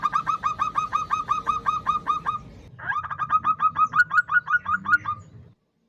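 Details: Female local zebra dove calling a male, a lure recording: a steady run of quick, clipped coo notes, about three each second, briefly pausing, then resuming slightly higher and ending in silence, over a low murmur.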